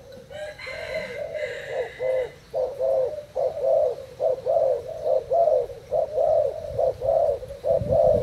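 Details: Caged Thai spotted dove competing with a decoy in cooing: a brief higher scratchy sound at the start, then loud, low coos in a regular pulsing series, roughly one note every half second.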